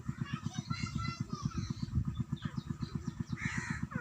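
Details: Helmeted guineafowl giving harsh, rapid, rhythmic calls, several notes every second.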